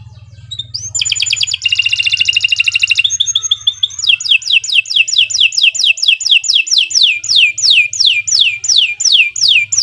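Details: Canary song for prompting other canaries to sing: a rising note, dense buzzy trills, then a long series of loud downward-sweeping whistles repeated roughly twice a second, with low hum at times.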